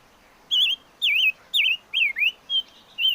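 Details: Chim ngũ sắc, a five-coloured bird, singing a series of clear whistled phrases, each a wavering, warbling slur dipping and rising, about six phrases spaced roughly half a second apart over steady faint background hiss.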